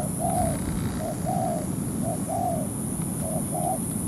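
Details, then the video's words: Decoy spotted dove in a ground trap, luring a wild dove into a fight: repeated phrases of a long rounded coo followed by a short note, mellow and low, over steady background hiss. "Bẫy chim cu gáy mồi đất"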